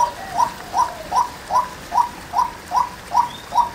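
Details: Female white-breasted waterhen, heard close, repeating a short hollow note roughly every 0.4 seconds in an unbroken rhythm over a quiet background with faint bird chirps.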